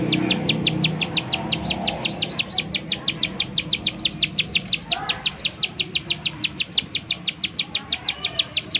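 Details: Bar-winged prinia giving its rapid 'nembak' lure call to make other prinias sing; an unbroken stream of sharp high notes, around five per second, over soft low rumble that fades mid-way.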